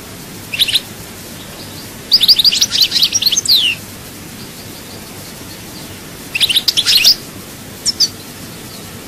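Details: European goldfinch from Souk Ahras, Algeria, giving scattered bursts of high, twittering song with buzzy slurs, separated by long quiet gaps with faint background hiss.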